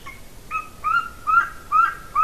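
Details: Nest-camera recording of a female golden eagle in Latvia, 30 January 2019, afternoon: a run of whistled, slightly rising yelps, each lasting about half a second, given back to back.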